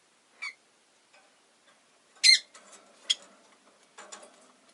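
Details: Relaxed afternoon with a pet rosy-faced lovebird, which gives three brief piercing chirps within a few seconds, the middle one loudest, followed by light scratching and soft clicks.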